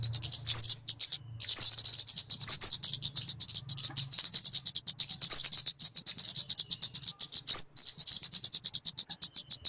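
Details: Rapid high chattering of a talokan (kemade) bird for luring or song tutoring: nearly continuous stream of sharp ticks with scattered thin slurred whistles, a low faint hum during the first four seconds.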